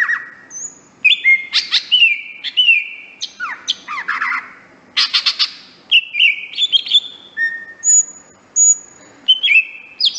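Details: Greater green leafbird master song for training: varied mix of high whistles, sharp buzzy bursts and falling slurred notes, delivered in quick irregular phrases with brief pauses, over faint background hum.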